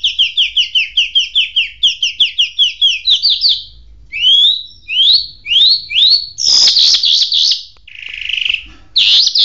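A Jal bird sings a fast run of high, down-slurred chips, about five a second. Rising whistled notes and a buzzy trill follow.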